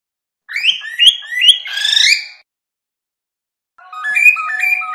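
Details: Cockatiel song: rapid series of rising, stepped whistled notes with rich harmonics, ending in a longer buzzy upward sweep, then after a pause a quieter run of warbled stepped notes over a faint steady tone.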